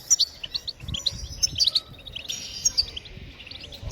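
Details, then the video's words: European goldfinch twittering, played to stimulate other birds to sing: scattered high, bright chirps and short tinkling notes, with brief pauses and faint low background rumble. "بتبتات الحسون لتحفيز الطيور على التغريد بتبتات تجنن الحسون وتجعله يخرج كل التغاريد المخفية"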